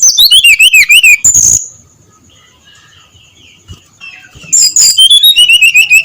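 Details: Loud ngeplong song of a brown-chested jungle flycatcher in the early morning: rapid, high, sliding whistles run downward, a quiet gap with faint distant notes, then another fast falling run.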